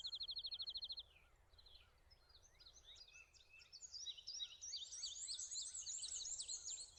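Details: Prairie warblers singing on branches: a quick high trill of even notes at the start, then a series of thin, buzzy notes that climb steadily higher and grow louder toward the end, over a soft background hiss.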